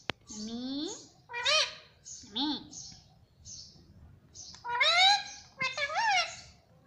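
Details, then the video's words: Talking pet parrot imitating the word "mummy": a run of voiced, speech-like syllables with arching pitch, some repeated, mixed with short high chirps, indoors. "Mummy Papa Bolne Wala Tota || Talking Parrot"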